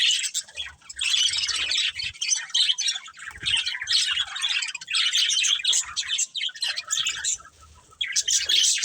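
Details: Budgerigars of a breeding pair trade bursts of scratchy, warbling chatter and sharp chirps, separated by short lulls, with a clear quiet gap before the last burst.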